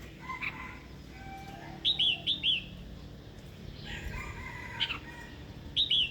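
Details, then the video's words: Female red-whiskered bulbul calling to provoke a wild-caught male to sing and fight; short downslurred chirps in twos and threes, separated by pauses, over faint background hiss. "Chào mào hót tiếng mái kích bổi"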